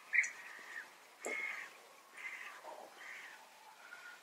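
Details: Contact calls of European bee-eaters, rendered "prüt", one bird calling and another responding as reassurance that all is in order; four or five burry, rolling notes at intervals of about a second.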